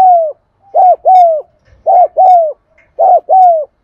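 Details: Spotted dove cooing in the 'thúc gù' style, played to prompt silent caged doves to coo: paired low, mellow coos, a short note then a longer falling one, repeated about once a second in a quiet room.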